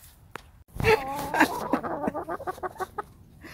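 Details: Backyard hens chattering in their pen as their owner sits among them: a loud nasal call, then a quick run of rhythmic clucks, about two per second, fading into softer notes.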